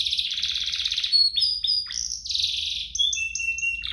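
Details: Canary song meant as a lure for other canaries: a dense buzzy trill followed by sharp falling whistles, a sweeping rise, and evenly repeated short high notes.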